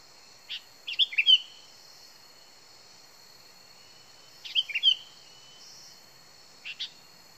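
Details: Sooty-headed bulbul, a recording used as a lure call, gives short, bubbly whistled song phrases of quick liquid notes, repeated every few seconds over a steady high insect drone.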